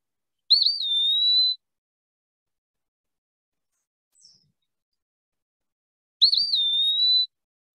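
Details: Eastern Wood-Pewee of central Alabama woods, sometimes along creeks, singing its namesake song: two clear, high, slurred whistles, each about a second long and spaced several seconds apart, like a drawn-out pee-a-wee.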